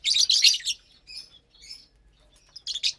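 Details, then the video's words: Several lovebirds at morning feeding time on April 30th, 2022, eating corn, kale, sprouts and millet: a loud burst of harsh, high chattering opens the clip, then soft twitters, then another shrill chirping burst. "Lovebirds Meal Time"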